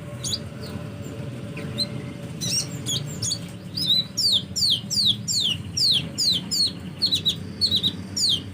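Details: Hummingbird giving rapid series of high, thin descending squeaky notes, repeated more than twice a second, with faint background hum.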